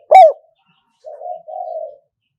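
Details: Decoy spotted dove for traditional trap-pen hunting: one brief loud, sharp coo note, then a pause and two soft, low, purring coos.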